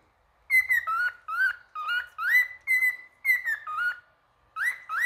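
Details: Male cockatiel singing: a string of whistled, upward-swooping notes, some with tight chirpy grace notes. The phrases come roughly twice a second with short gaps between them, in an otherwise quiet setting.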